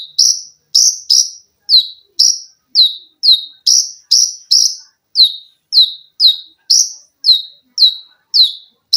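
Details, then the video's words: Olive-backed sunbird singing for cage-bird training: a steady stream of loud, sharp, downslurred high notes, nearly two per second, slightly varying in pitch and spacing, clean with no other sounds. "TERAPI KONIN GACOR FULL TEMBAKAN RAPAT!!!MESIN JAHIT,LENGKINGAN DAN BESETAN."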